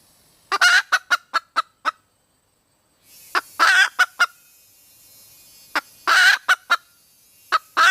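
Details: Red junglefowl hen calling for a mate, with three bouts of raspy cackling, each a coarse drawn note followed by several quick staccato clucks, amid a faint steady background hiss.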